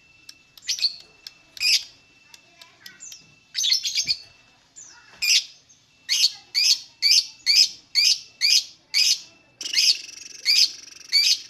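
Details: Lovebird chirping, kept bird used to lure others into singing: a run of sharp, high chirps, loosely spaced at first, then steadier near one per second.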